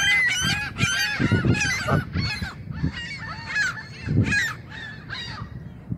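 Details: Several Canada geese, which feed only on grass, honking in apparent annoyance at being photographed: loud, harsh nasal honks repeated rapidly in overlapping bursts, about four per second, with low rumbling handling noise beneath.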